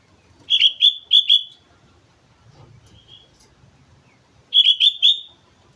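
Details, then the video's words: Lively song of a sooty-headed bulbul from Mount Slamet: a rolling burst of four or five clear, liquid whistled notes, a long quiet gap with a soft single note, then another matching bubbly phrase. "suara burung kutilang gacor gunung slamet"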